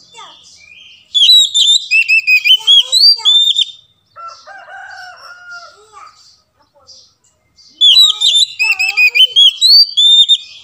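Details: Oriental magpie-robin singing, used as a lure to get silent birds to sing: two loud bursts of quick, varied whistled notes separated by quieter, lower warbling and scattered chirps.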